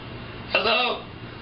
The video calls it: Talking Macaw Parrot Tells Another Parrot To Shush